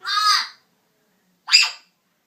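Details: Pet African grey parrot giving noisy morning calls indoors: a drawn-out grating squawk followed, after a second's pause, by a shorter, sharper rasping cry.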